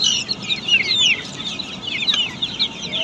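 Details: Many Australorp chicks at a poultry farm, their thin, high cheeping piling up into a continuous chirruping chorus with a low background rumble.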